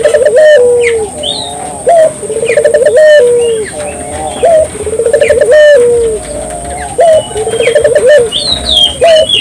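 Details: Barbary dove singing continuously, played to encourage local doves to sing: low trilled coo phrases ending in falling drawn notes, repeated about every two to three seconds, with small chirps from other birds and a steady high-pitched hum.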